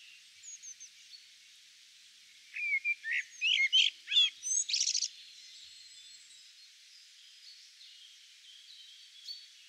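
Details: A tui in New Zealand, feeding on Protea, red kakabeak and Grevillea flowers, sings a brief, varied burst of clicks, liquid chimes and a wheezy rasp, with faint high notes before and after.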